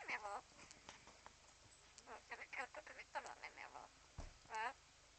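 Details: Talking parrot speaking Swedish: short, tinny, word-like phrases in bursts with brief pauses, quiet and indoors, ending with a louder nasal syllable.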